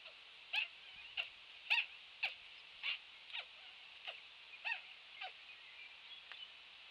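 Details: Laysan albatross chicks squabble over a nest with a battle of beaks, giving short, harsh, descending squawks about once a second over a steady high hiss of wind or surf.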